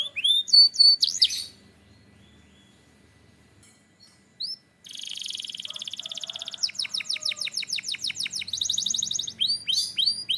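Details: A canary from Türkiye gives a few bright whistled notes, falls nearly silent for a few seconds, then launches into long, very fast high trills and buzzy rolling phrases that continue to the end.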